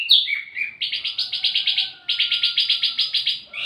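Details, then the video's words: Wambi mini singing, recorded as lure and master song for flowerpeckers: a few slurred notes lead into fast, evenly pulsed, chattering trills repeated in two long bouts. "wambi mini burung pancingan sekaligus masteran buat tledekan anda"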